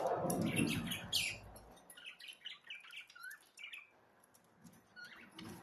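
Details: Budgerigars giving scattered squeaky chirps and soft warbled phrases after an opening low rumbling noise, with the calls thinning out towards the end.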